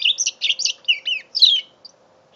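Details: Mule canary aged five months in a short burst of song: rapid high chattering notes and a couple of downward-sliding whistles, fading out after a second and a half, with a faint background hum.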